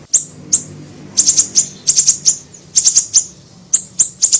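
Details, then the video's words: Small siri-siri bird in a lure recording: piercing high chirps in tight clusters of two to four separated by short pauses, repeated throughout. "MASTERAN PANCINGAN PIKAT SUARA BURUNG SIRI SIRI KECIL"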